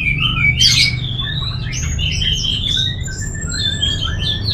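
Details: Orange-headed thrush (anis merah) recorded in northern Bali, Singaraja, for bird training: sustained warbling whistled phrases with wavering notes and one harsh burst early, a low droning hum throughout.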